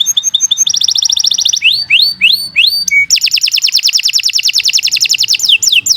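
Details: Energetic long-singing canary, used to tutor young birds and prompt silent ones. It gives quick high trills, rising swept notes repeated in short series, a brief steady whistle, then a long rapid rattling trill.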